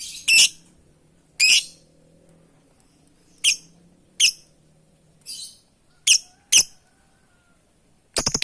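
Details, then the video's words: Lovebird calling to companions: loud, sharp, shrill squawks given singly at irregular intervals of about one second, eight in all, with a quick burst of clicking notes at the end. "Suara burung love bird memanggil kawan"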